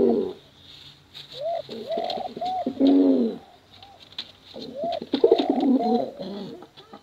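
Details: Male and female pigeons giving long contest coos that lure young birds; arched coo phrases repeat in two dense bouts separated by a pause, accompanied by crisp clicks.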